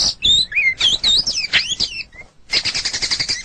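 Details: White-rumped shama (murai batu) kept as a pet songbird, singing a varied string of rich looping whistles and slurred phrases, a brief pause, then a rapid burst of high, rhythmic chattering notes.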